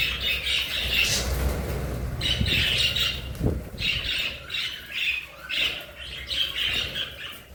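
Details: Pet budgerigars in free flight, described as happy and energetic, chirp and squawk in quick scratchy bursts, roughly one burst a second.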